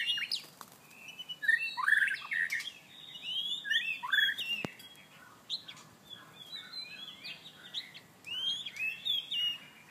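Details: White-rumped shama song during mating chase: rapid varied whistled phrases with downward-slurred notes and sharp ticks, a sudden loud click near the middle, and a faint steady hum throughout.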